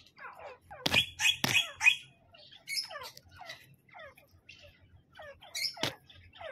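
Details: Grey francolin, male and female, giving squeaky, descending chirped notes in quick irregular bursts, with a few loud sharp clicks and a low hum underneath.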